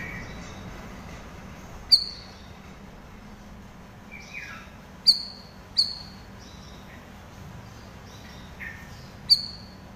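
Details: Gacor cucak rawis, chattering master song for birds that stay silent: scattered sharp high chirps with falling tails, some in close pairs, mixed with lower sliding notes over about ten seconds.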